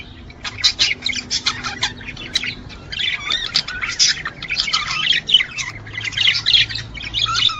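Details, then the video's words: Male budgerigars warbling to stimulate mating and breeding: a dense, continuous chatter of scratchy chirps, squawks and quick twittering notes, with constant overlapping bursts throughout. "أفضل مقطع لتحفيز طيور الحب البادجي على التزاوج والانتاج"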